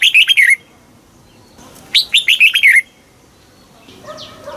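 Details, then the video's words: Red-whiskered bulbul song of the southern master style from Thailand, played for caged birds and young learners: two lively phrases of rapid liquid whistled notes dropping in pitch, followed by softer chatter. "เสียงนกกรงหัวจุก ร้อง ริก เปิดให้นกฟัง ยั่วให้นกคึกจัด"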